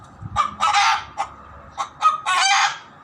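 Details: Really loud chicken calling, a short burst then a long harsh squawk, then two brief notes and another drawn-out strained squawk.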